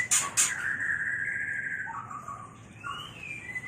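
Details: A white-rumped shama mating call opens with two loud sharp clicks, then a long steady whistle that drops to lower notes before a rising whistle near the end.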